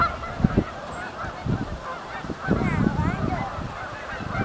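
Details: Canada geese coming in at Oak Hammock Marsh and Fort Whyte: a crowded chorus of honking from many birds, some clearer wavering calls near the end, with bursts of low wind rumble throughout.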